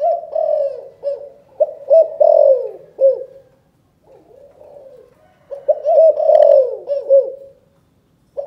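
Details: Spotted dove in Cần Thơ, Vietnam, giving the chụp chụp ô calling coo: repeated soft, rounded coos with falling inflections, in two phrases separated by a quiet pause, with a faint tapping sound.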